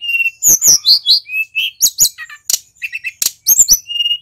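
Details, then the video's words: Local male mountain white-eye from Pacitan singing nonstop in rolling gacor style, showing its repertoire: rapid high twitters, sharp chirps and short level whistles tumbling together in quick bursts, loud and close with no other sounds. "BURUNG SULINGAN GUNUNG FULL GACOR"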